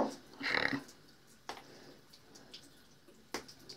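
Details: Pet macaw in a bathroom, where it likes to talk to the mirror and play, gives one brief, harsh, voice-like squawk near the start, followed by a few sharp clicks and taps in a quiet, echoing room.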